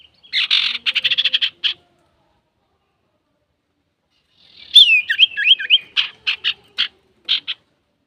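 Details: Male Common iora singing in varied style, a recording for provoking other birds: a rapid rattling burst of scratchy notes, a pause, then a wavering liquid whistled phrase followed by separate harsh chips.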